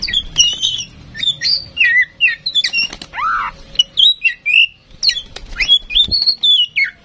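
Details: Tame singing female oriental magpie-robin used as a song prompt for other birds: continuous lively medley of whistles, chirps and a scratchy rising note, delivered in quick, varied phrases throughout.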